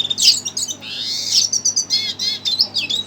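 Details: Excited red siskin responding to a played recording, with a burst of high chirps, a long buzzy rising-then-falling note, then harmonic-rich chattering notes in quick succession.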